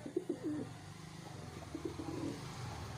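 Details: Kept wild pigeons giving a few low, rolling coos near the start and again midway, fairly soft, over a steady low hum.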